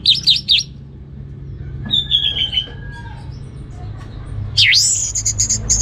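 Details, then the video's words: Orange-headed thrush singing in the ngeplong style: quick high trilled notes open, then a descending whistled phrase, and a loud sweeping, buzzy burst of notes at the end, over a low background hum. "Anis Merah Ngeplong Gacor"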